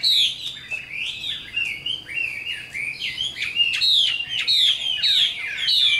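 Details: Chinese hwamei, an old wild-caught bird with a fine voice, delivering a lively continuous song of loud whistled slurs and downward-swooping notes, with short sharp accents between phrases.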